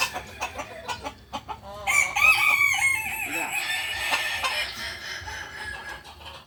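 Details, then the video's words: Crowing kukuak balenggek chicken at a Sunday joint practice meet in Ampang Kualo; a wavering, quavering crow rises out of tapping and clatter and trails off into crowd noise. "ayam kukuak balenggek"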